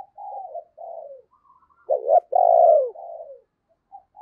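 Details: Lure spotted dove cooing to attract wild birds: two soft low coos, a faint higher note, then a loud short rising note and long falling coo with a softer tail.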